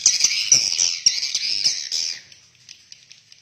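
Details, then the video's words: Swiftlets inside a swiftlet house give a dense run of high, rapid, buzzy chirps for about two seconds, then fall to faint scattered ticks. "SUARA ASLI BURUNG WALET DALAM RBW"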